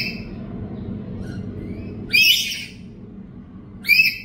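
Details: Home-kept black-capped lory, recorded as a lure and tutor track, gives two harsh screeches about two seconds apart over a steady low rumbling background. A softer, shorter call opens the clip.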